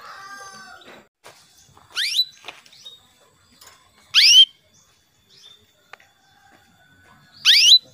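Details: Female canary summoning a male, played as a lure to make males sing; soft warbling at first, then three loud upward-sweeping chirps about two to three seconds apart, with faint twitters between.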